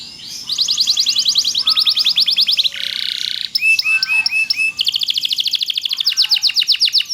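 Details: Canary of the loper type in full song for training other canaries: dense high trills, a harsh buzzy burst, a run of rolling notes and renewed fast rattling trills.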